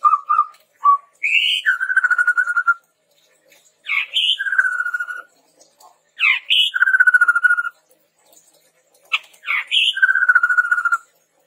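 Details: Lively chestnut-rumped babbler song used as a lure and tutor: low doubled whistles, then four phrases, each a harsh rising slur into a long, fast, chattering run of notes, with pauses between.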